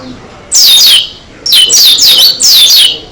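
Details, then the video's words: Oriental white-eye, Dakun type, singing hard with open beak: a short high twitter, then a run of sharp descending chirps in linked phrases. "Burung Pleci Dakun Gacor Suara Edan Buka Paruh"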